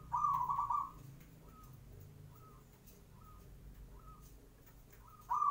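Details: Morning zebra dove song used as a lure to prompt other doves to answer: loud rolling coo phrases open and close the recording, with softer, shorter cooing notes repeated about every second between them over low rumble.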